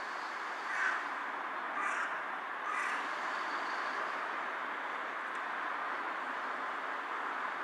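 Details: Three fairly faint, harsh caws roughly a second apart from a carrion crow bowing on a power line, 18 July 2023, then only steady background noise.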